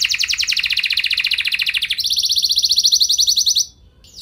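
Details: Gacor canary used as a lure for other canaries, delivering a long fast rattling trill that jumps to a higher steady trill before stopping abruptly.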